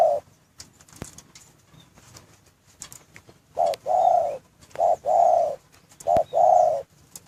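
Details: Spotted dove in a breeding cage cooing: after a quiet start, three low, mellow phrases, each a brief note followed by a longer drawn-out coo, in the second half, with faint high chirps of other birds behind.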